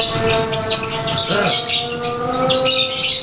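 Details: A caged konslet-type lovebird giving its daily ngekek song while set out to sunbathe. It pours out a dense, continuous stream of high, rapid, chattering trills and squeaky notes with no pauses, over steady humming tones in the background.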